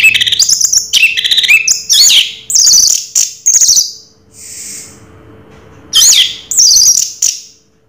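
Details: Orange-headed thrush, anis merah, singing raja teler: long, dense runs of high, bright whistles and warbling trills, almost without a break. A short, hissing, softer passage comes midway, then the rich warbling resumes.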